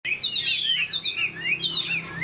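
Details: Chinese hwamei caught this year, not yet moulted, singing rich, loud whistled phrases that swoop up and down in quick succession with barely a pause.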